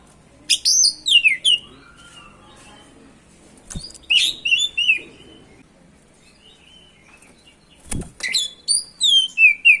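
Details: Oriental magpie-robin singing as a provocation lure for other magpie-robins; loud descending whistled slurs and chattering trills in three bursts separated by quieter gaps.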